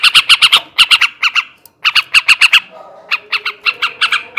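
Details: Male yellow-vented bulbul singing in the ngebrem and ngekek garuda styles, used to raise breeding drive: harsh, buzzy chattering notes in quick bursts of three to five, separated by short pauses.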